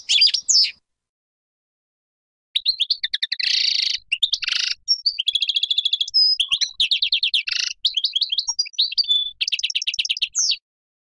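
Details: European goldfinch, Major type, in full song: a rich, varied tumble of twittering chirps, buzzy rattles and rapid trilled runs, lasting several seconds without break.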